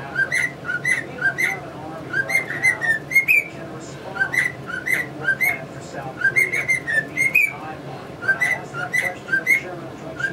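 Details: Caged male cockatiel whistling a learned melody in front of budgies, phrases of short pure whistled notes rising and falling, repeated in bouncy groups, while sharp budgie chatter ticks underneath.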